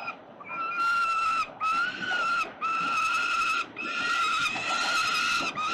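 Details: Over prey in central Melbourne, 367 Collins peregrines squabble at 5:07 p.m., 5 November 2022. Long, loud, strained screams arrive in four separate bursts, each about a second long, with brief quiet gaps between them.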